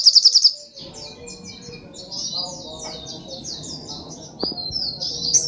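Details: Brown-throated sunbird singing: a short burst of rapid pulsed notes, then softer high twittering slurs over a low background hum, with a brief click partway through.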